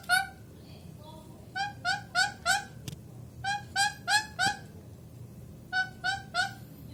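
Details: Young pet parrot, described as angry, repeating loud nasal squawks in clusters of three to four, rough and strongly harmonic, with short silences between groups and a single sharp click midway.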